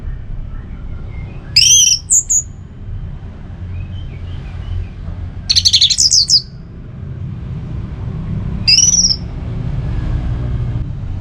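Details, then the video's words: Orange-headed thrush singing in three short, high, sharp bursts of twittering whistles spaced a few seconds apart, over a steady low rumble. "Suara Burung ANIS MERAH"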